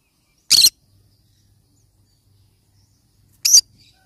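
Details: Yellow-sided conure parrot calling with two loud, harsh, rasping squawks about three seconds apart, separated by near silence.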